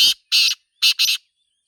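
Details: Black francolin (Sindhi Teetar) calling in the wild, in a natural environment: four loud, harsh, rasping notes, a single note, a pause, another, then a tight pair, over a quiet background.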